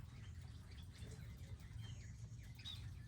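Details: Wild birds at a garden feeder station with seed and water; a run of short slurred chirps, some dropping in pitch, closing with a sharper bright note, over low droning noise.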